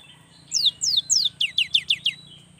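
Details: Young cinereous tit singing vigorously, a long performance used to prompt lazy young birds to sing; a fast run of about eight sharp, downslurred whistled notes over under two seconds, with a steady high hum behind.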